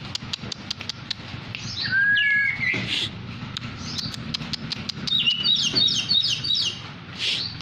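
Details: Tame kacer poci (Oriental magpie-robin) in full song: rapid clicking ticks, then loud whistled slurs and short warbled phrases, alternating with quieter pauses over a faint low hum.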